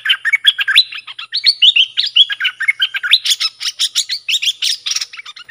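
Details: Dok taeng bulbul song played to teach fledglings and hand-fed young: continuous, lively chattering warble of rapid up-and-down notes for over five seconds, growing slightly harsher toward the end.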